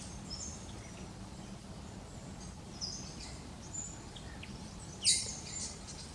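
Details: Eastern spinebills in the Australian bush, with other birds around, give thin, very high-pitched piping notes, scattered and faint, with one sharper burst near the end over a steady low rumble.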